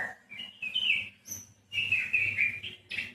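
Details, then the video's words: White-rumped shama singing rich warbled phrases, bright whistled notes run into fast twittering trills, two bursts separated by a brief pause, over a faint low hum. "Kicau Burung Murai Batu"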